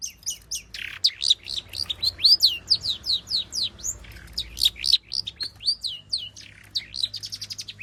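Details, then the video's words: Long-tailed shrike (cendet) singing nonstop, a full repertoire of mimicked material used to coax other shrikes into song: rapid bright chirps, many steeply falling whistled slurs and sharp clicks, about four notes per second, varied and irregular, with faint low hum beneath. "burung cendet gacor FULL ISIAN pancingan Cendet AGAR BUNYI Cendet Bongkar Materi"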